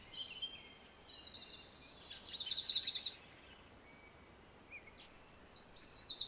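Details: MacGillivray's warbler (Geothlypis tolmiei) giving one full song of fast, high chattering notes falling slightly at the end, followed later by the start of another, against a steady hiss of background noise.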